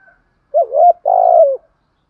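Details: Spotted dove, 'hạp bổi' song style used to provoke wild birds. One phrase: a wavering, bending coo, then a sustained, slightly buzzy note that falls at its end.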